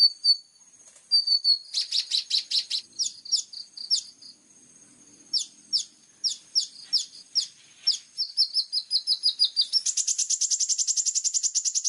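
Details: Plain-throated sunbird (kolibri ninja) in energetic singing, sharp 'tembakan' style: high, clear, clipped chirps and short whistled notes in bursts, ending in a fast, even trill of rapid high ticks. Clean recording, no other sounds.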